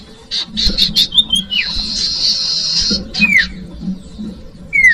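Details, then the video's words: Common iora, locally sirtu, used to lure young birds: squeaky chips and falling whistles around a long harsh buzzing rasp, then a sharp downslurred whistle and brief quiet. "Audio Suara Burung Cipoh/Sirtu/Sirdung cocok buat pancingan bakalan"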